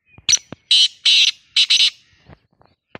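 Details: Black francolin (kala titar), a new bird being trained to call, gives loud harsh grating notes in a broken rhythm, bursts of raspy syllables with a short pause between, plus faint clicks.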